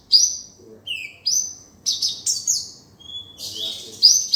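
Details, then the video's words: Kolibri sunbird tutor recording with varied fill: sharp high squeaks, thin sustained whistles and brief downslurred chirps spaced by short gaps, clean and close with little background noise. "Pancingan/masteran burung Kolibri || konin dacok isian mewah"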